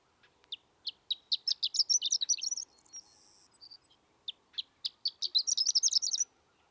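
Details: A horned lark (Eremophila alpestris) gives two bursts of high, tinkling notes that start sparse and quicken into a jumbled twittering run, with a short pause between them; horned lark.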